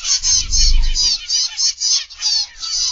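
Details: Many caged zebra finches in an aviary, filmed in the morning, keep up a dense overlapping chatter of short, high, nasal beeps and trills, with soft low thuds early on.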